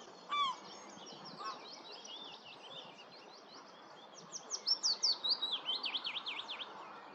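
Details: A common sandpiper (Actitis hypoleucos) at Lurgies, Montrose Basin, gives a quick run of thin, high piping notes, about a dozen in two seconds, with one lower note near the start, over steady background hiss.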